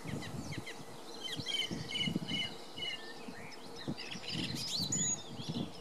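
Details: Song thrush in Belfast, Ireland, singing clear, fluty and chirpy phrases, some repeated in quick succession, over a steady low rumble of background noise.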